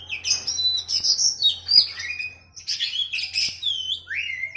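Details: Training song for a captive oriental magpie-robin, set against a bulbul: rapid high whistled phrases, slurred and warbling, with sharp rising and falling notes and brief chirps in quick succession, over a faint low hum.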